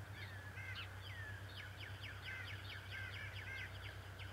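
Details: Decorah male bald eagle, morning of 11 March 2018, beak trailing grass and a feather: a long, fast string of high, squeaky chittering notes filling the clip, with a steady background hum.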